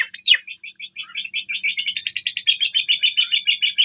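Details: Black, yellow-billed Javan myna kept as a pet and learning to sing opens with a slurred whistle, then a fast, even chattering trill of clipped notes that runs on for over three seconds.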